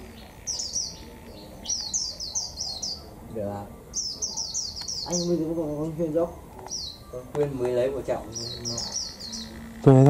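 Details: Caged Japanese white-eye singing in the double 'họa kép' style with 'líu thung' phrases on a cold 11 °C day; quick runs of high, thin chirps repeated in bursts, with a man's voice talking loudly through the middle.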